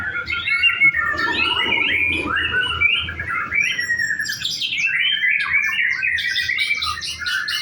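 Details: Practice contest singing from a white-rumped shama: continuous varied warbling with sliding whistles, then higher, harsher repeated notes in the second half, loud and unbroken.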